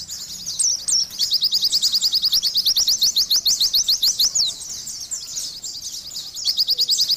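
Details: Oriental white-eye singing gacor-style, opening with a slurred whistle, then a quick, rhythmic series of sharp high chirps, a short lull, and the chirping picking up again.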